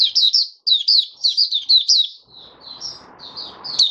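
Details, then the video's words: Oriental white-eye in open 'buka sing' song, 20 January 2022, fifth day after its monthly deworming: a steady run of bright, down-slurred high chirps, softer and more spaced toward the end, with faint rustling noise. "Mata Puteh Raja Video 1 buka sing"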